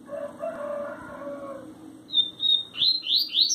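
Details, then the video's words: Coleiro (double-collared seedeater) from a keeper in Sergipe, Brazil, in the tui tui zel zel style: after a low rough sound, a high level whistle followed by sharp rising slurred notes in quick succession. "Coleiro tui tui zel zel lindo"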